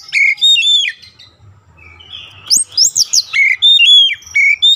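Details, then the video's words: Oriental magpie-robin song for daily training toward long rolling song: clear falling whistles, a quiet gap, then fast high buzzy trills and crisp repeated whistled phrases. "TERAPI HARIAN KACER CEPAT NGEROLL PANJANG"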